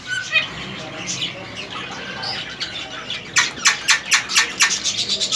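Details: Semi hand-tamed three-year-old male ring-necked parakeet, a kept bird. Soft chirps for about three seconds, then a quick run of about eight harsh, scratchy squawks at roughly four per second.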